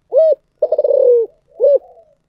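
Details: Close spotted dove 'giọng thổ sấm' song: a hollow ringing coo, then a long pulsing, burred coo gliding lower, and a closing short coo trailing into a soft murmur.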